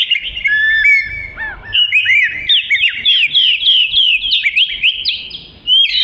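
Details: Energetic 'gacor' song of an Oriental magpie-robin, meant as a model for training other songbirds: rapid string of sweet whistles, upslurred notes and chattering twitters, with brief soft background noise early on.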